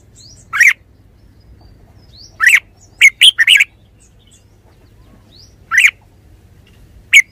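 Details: Red-whiskered bulbul singing: isolated loud chirps alternate with a rapid cluster of bubbly, slurred notes, with faint high thin calls and low hum in the background.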